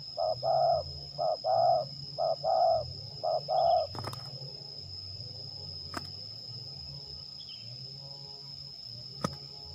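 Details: Spotted dove (terkukur) used as a lure bird for trapping near Liwa, West Lampung, Indonesia, in a fighting test: four paired coos, a short note then a longer, rougher coo, over four seconds, then quiet with sharp clicks, steady high whine, low hum.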